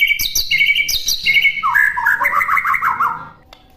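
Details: A white-rumped shama master recording opens with sharp high chips, then shifts to a run of lower, rolling warbled notes that fade out at the end.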